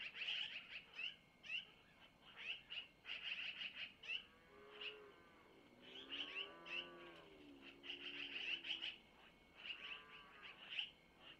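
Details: Feeding at a long-eared owl nest near Missoula, 05:05 on 25 April 2024, with the mother passing food from the male to the owlets; busy high chirp trains and several lower, sliding, wavering calls in the middle.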